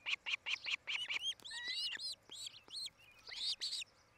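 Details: Osprey at a Charlo, Montana nest, recorded by a nest cam on 8 July 2018 around five in the afternoon; rapid clipped cheeps give way to arched, slurred whistles rising and falling, delivered in uneven bursts.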